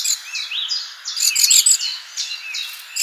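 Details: Garden birds at a feeder in summer: a busy tangle of high, sweet chirps and quick twittering phrases that rise and fall, several voices overlapping, with a brighter burst of trills in the middle.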